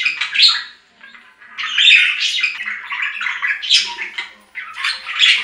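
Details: Loud budgerigar warble of raspy, high squawks and chirps in uneven bursts, with two brief near-silent gaps between the busy phrases.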